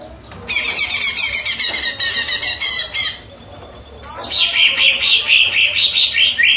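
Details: Cucak ijo song: a dense, rapid chatter of high twittering notes for several seconds, a pause, then a loud swooping whistle flowing into fast warbled trills.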